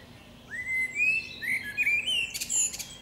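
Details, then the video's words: Female common blackbird singing in a Polish forest: a low fluted whistle rising near the start, then several clear warbled phrases ending in a high, squeaky chattering twitter. "Samica kosa śpiewa. Kos śpiewa w lesie. sounds and singing of the blackbird"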